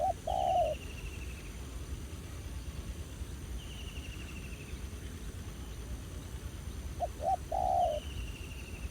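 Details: Wild spotted dove, quite feisty, calling toward a ground decoy while being trapped; a long low coo, a pause, then two quick notes and a drawn-out coo, with a recurring thin descending trill above.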